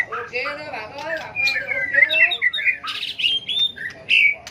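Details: Competitive fighting song of a white-rumped shama, a fire-tailed bird: harsh squawky notes and buzzy slurs, then rapid whistled phrases and sharp chirps at varied pitch, loud and close in a small room.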